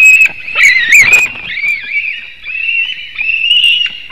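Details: White-tailed eagle on a webcam nest in Latvia, 17 August 2018, early morning, screaming after a fish arrives. Continuous high, wavering squeals with brief rasping breaks, rising and falling slightly throughout.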